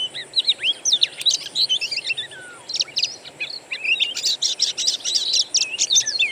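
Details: Oriental magpie-robin song from a wild-bird lure recording to make a kept bird sing: fast chirps and looping whistles, a brief quieter stretch, then a dense, loud run of rapid sharp notes.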